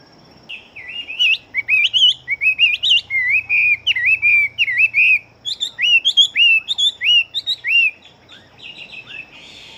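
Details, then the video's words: Chinese hwamei, a large-bodied fighting bird, singing fast and well: a rapid run of loud, clear whistled notes sliding up and down, about 85 phrases a minute, with varied twisting notes and a low hum beneath. "Họa Mi Chiến Siêu Mau Mỏ Bộ To Hót Tốt"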